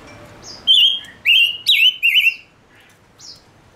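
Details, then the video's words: {'text': 'Male silver-eared mesia singing as a lure bird to attract wild birds. Loud, clear whistled notes bend and warble, given in close bursts, then a few soft high whistles follow.'} "Chim ngũ sắc mồi hót cực hay kích bổi nhanh nổi | chim ngũ sắc hót | ngũ sắc trống"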